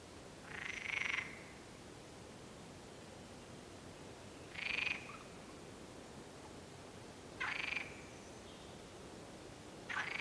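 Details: A mallard on a pond at San Antolín, Zamudio, on 16 May 2020. It gives four harsh, nasal calls, each about half a second long, roughly every three seconds over a soft steady hiss.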